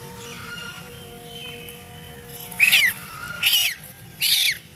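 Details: A frightened duckling screaming: after a quieter stretch with faint steady tones, three sharp, high, descending cries come in quick succession near the end.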